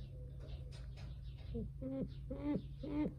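Brown eared pheasant giving short, nasal, slightly bent notes about twice a second, over a steady low mechanical hum.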